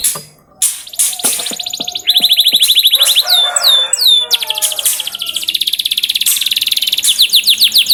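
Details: Lure song of a canary meant to get other canaries singing: scattered sharp chips open into a bright rolling trill, looping down-slurred whistles, then fast, slightly buzzy trills that run on without pause.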